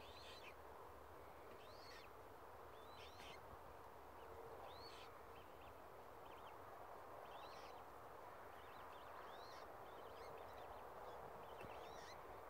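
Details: Australasian swamphen chicks at Tamar Island Wetlands giving short, high, thin peeping calls with a slight downward slide, repeated every second or so in loose irregular runs, over a steady wash of broadband background hiss.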